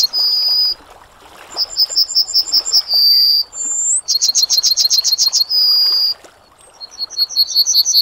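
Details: Repeated song phrases of a Yellowhammer, Emberiza citrinella: quick trains of high, clipped notes, each closed by a sustained, level final note; several phrases follow each other over eight seconds.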